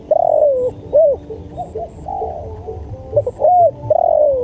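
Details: Spotted dove in a training recording, giving throaty low coos: a long falling coo, rounded short notes, and another drawn falling coo to close, over low background rumble.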